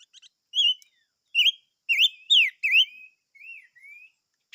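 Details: Silver-eared mesia giving a run of bright whistled phrases: wavering notes, then sharp down-up swooping whistles in quick succession, fading into two softer slurred whistles; clean, quiet background.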